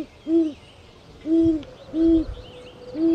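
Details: Low, rounded owl hoots, each a brief rising-then-falling note, three clear calls spaced roughly every three-quarters of a second over soft chirping of small birds in the background.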